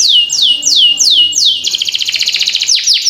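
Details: Training song of a canary for tutoring young birds: four slow, downward-sweeping whistled notes, then a fast buzzy rolling trill and a couple of falling notes.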